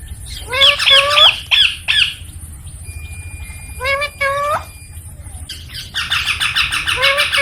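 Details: Baby Indian ringneck parakeet, filmed as a talking pet, gives loud, harsh, rising squawks in quick bursts, then a pause with faint steady tones, then a busy stretch of rapid chattering notes near the end.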